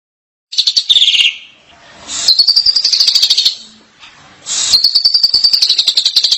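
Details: Asian pied starling singing energetically: a loud, slurred, buzzy whistle dropping in pitch, then two long, rough, high, sustained phrases made of rapidly pulsed notes, separated by brief quieter gaps.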